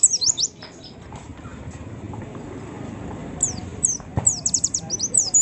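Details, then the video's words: White-eye singing as a lure to get other white-eyes singing. A few high, thin downslurred notes open, then a quiet stretch, then a fast burst of sharp, high falling chirps near the end. "pleci manapun cepat bukpar pancing pleci ini"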